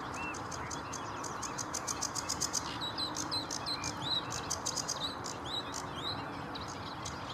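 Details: Sedge warbler singing at Vange Marsh RSPB reserve in May: fast runs of dry chattering notes and rattles mixed with whistled rising and falling slurs, in a jumbled, continuous stream over a steady low background hum.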